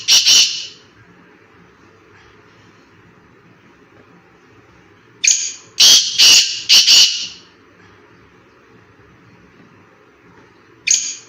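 Black francolin gives a loud, harsh, grating phrase: a single note followed by a rapid run of three or four scratchy notes. Quiet background in between.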